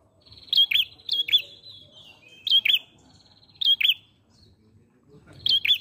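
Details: Lively song of an ashy prinia: crisp, high, downward-flicking double chirps repeated in short bursts about once a second, with brief pauses and soft background rustling.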